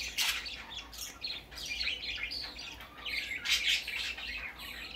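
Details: Baby budgerigar heard on its first outing, with loud, rasping chirps and warbled squawks tumbling together in quick runs, rising and falling in volume.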